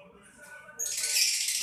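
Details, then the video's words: Lovebird giving one harsh, hissing screech that starts abruptly and holds steady and loud for about a second after a quiet lead-in. "LoveBirt_Bunyi suara burung"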